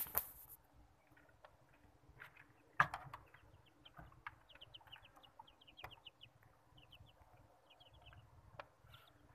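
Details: Hen chicks, given as australorp chicks, giving soft, short high peeps in loose scattered series, some in quick runs of three or four, with a few sharp knocks and rustles in between against a quiet background.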